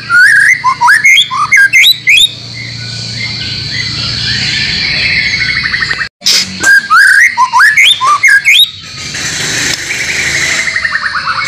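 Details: Caged-bird training recording of the White-rumped shama (murai batu), mixed with other birds' song material; two bursts of rapid, varied whistled and chattering notes separated by a short break, ending with a faint trill.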